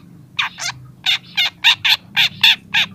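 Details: Young long-tailed shrike in song, starting to bring out mimicked phrases: a string of short, harsh, scratchy notes, about three per second, over a low steady hum.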